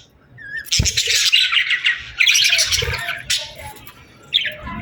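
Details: Evening bird chorus at sunset in summer, a long harsh chattering and squawking stretch of rapid chirps after a short whistle, fading to softer scattered notes.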